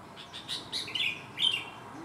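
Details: Sooty-headed bulbul with one abnormal leg, still singing actively like a normal bird; a quick run of short chirps builds into two rich, bubbly warbled phrases, the second louder, against a quiet, steady background.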